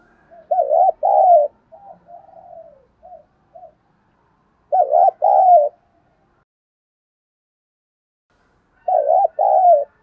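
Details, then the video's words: Spotted dove cooing to rouse decoy birds: a loud double coo phrase, a run of soft trailing notes, then two more strong two-part coos several seconds apart, each with a mellow dipping final note. "chim cu gáy kích bổi nhanh nổi mỗi ngày, giọng hay"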